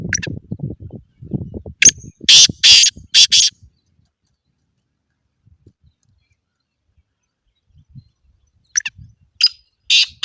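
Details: Black francolin calling, a recording to teach a silent bird to call. Low rustling gives way to a rapid series of five harsh, loud, noisy notes, a long quiet gap, then more rasping bursts at the end.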